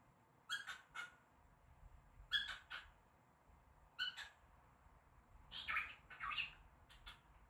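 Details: A cockatiel mimics human speech, repeating a quick three-syllable phrase, "WTF", in a raspy, high-pitched voice.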